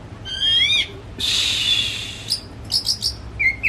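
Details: Pet white-rumped shama (kacer) kept at home, used as a lure so a silent shama will sing: loud rich whistles and harsh buzzy bursts, then short rapid chirping notes.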